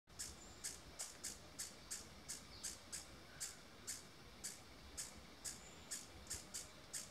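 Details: Female white- or purple-throated mountain-gem alarm calling at 1975 m in Boquete, Panama cloud forest, possibly at a soaring ornate hawk-eagle: sharp, very high chips repeated steadily two or three times a second over soft hiss.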